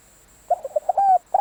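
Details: Decoy spotted dove. A rapid run of short, soft coo notes leads into a clear, drawn-out coo with a faint whistling overtone, and another coo starts right after it.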